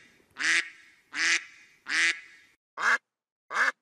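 A duck gives five harsh, nasal quacks, three longer ones followed by two shorter, clipped ones, about a second apart.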